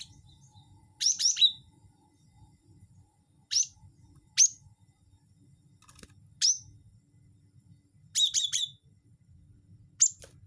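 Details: Cinereous tit (gelatik batu wingko) calling as a lure for birds: sparse, sharp, high chips, some single and some in quick groups of three, scattered irregularly with long quiet gaps between.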